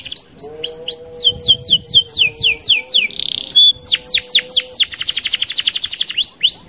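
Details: Canary song recorded as a lure for other canaries: fast rolling trills of descending whistled notes around mid-high pitch, shifting into a rapid buzzy roll, with a faint steady low tone beneath and little else.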